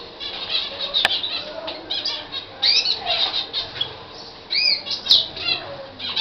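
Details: Libyan canary singing a varied song of rapid high trills, rising and falling whistled slurs and chattering rolls in several loud bursts, with two sharp clicks heard along the way.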